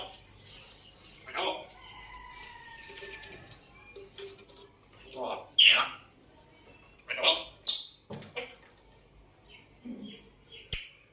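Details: African grey parrot attempting speech: hoarse, voice-like phrases with drawn-out tones, scattered sharp clicks, and several brief bright whistles toward the end, in a quiet room.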